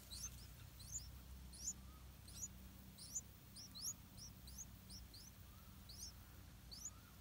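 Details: Several yellow-vented bulbul chicks in an areca palm nest begging for insects brought by parents. Overlapping high, thin upslurred squeaks sound in quick pairs and clusters almost continuously, with a faint low hum beneath.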